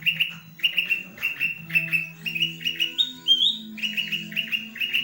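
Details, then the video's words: Tail-fanning green leafbird repeating sharp whistled notes in quick groups roughly twice a second, broken once by a higher rising slur, over a continuous low drone. "CUCAK IJO MAIN EKOR NGIPAS"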